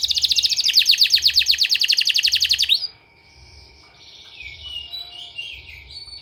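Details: Canary singing a therapy song used to train canaries. It opens with a fast, loud, rattling trill of high notes lasting under three seconds, then drops to softer, warbled, sliding phrases over a faint steady background tone.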